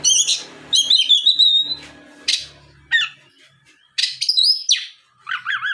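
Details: Oriental magpie-robin lure song intended to stir other magpie-robins into singing; raspy bursts and a sustained downward-sliding whistle, with a faint low hum underneath and later wavering warbled notes.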